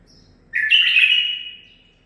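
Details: Caged home-bred male bulbul of nine months sings one clear zilzal phrase: a faint high prelude, then a loud, full whistle that jumps up and glides slowly downward as it fades.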